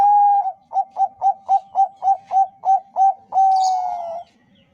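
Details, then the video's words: Bangkok-strain zebra dove, whose song serves as a lure to make other doves sing. A steady held coo opens a series of about eleven crisp, repeated short coos, closing on a long slightly falling coo with a faint high rustle. "suara perkutut bangkok - pancingan paling ampuh untuk semua perkutut bangkok agar gacor"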